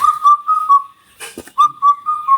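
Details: In Kerala around the Vishu season, a grey, hard-to-spot Indian cuckoo repeats its four-note whistled song twice, with clear, mellow notes at an even pace and a brief knock between phrases; this song is heard mornings, evenings and moonlit nights.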